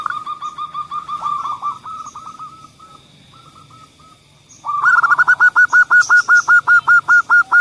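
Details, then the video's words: Zebra dove lure song for doves that seldom sing: softer trains of hooked coos fading, then a loud, even series of rolling hooked notes, about two and a half per second, with faint higher chirps behind. "suara pemancing Perkutut yang Males Bunyi"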